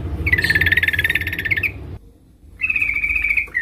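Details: Female sooty-headed bulbul calling to a male in the dense ngeriwik rapat chatter style: a fast buzzy trill near one pitch for about a second and a half, a short pause, then a second steady trill.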